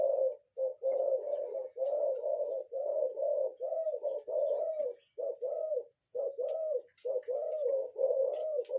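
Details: Spotted dove lure call, kept as a decoy bird: a steady run of low, husky coos grouped in twos and threes with brief pauses, carrying on for several seconds against a quiet background.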